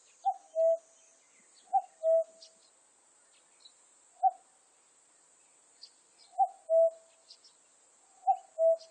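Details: Common cuckoo recorded in 2020. Repeated two-note cu-coo calls, a quick high note sliding into a longer low one, with one call cut to its first note. A steady insect buzz and light bird chirps continue underneath.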